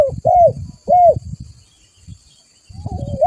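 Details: Spotted dove lure call: two short arched coos followed by the start of another phrase, partly masked by steady low rumbling noise.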